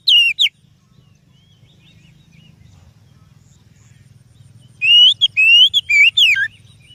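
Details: Oriental magpie-robin song used as a lure: two brief whistles, a long stretch of low background hum, then a burst of varied, rising and falling whistled notes.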